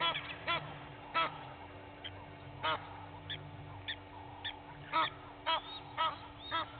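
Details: Two Egyptian goose families clash at a waterhole on Djuma Game Reserve, Sabi Sand, South Africa, early morning; loud separate harsh honks, irregular, roughly two a second, with fainter calls between.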